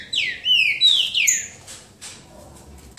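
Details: Green-winged saltator singing a boca mole style song in a duel, João Monlevade: loud slurred whistled phrases sliding down, several notes in quick succession over about a second and a half, then quiet with faint clicks.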